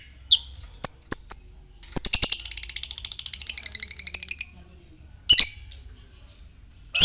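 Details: Fighter lovebird, ngetik, giving the ngekek: a long rapid rattling trill of high notes lasting over two seconds, framed by sharp single chirps before and after.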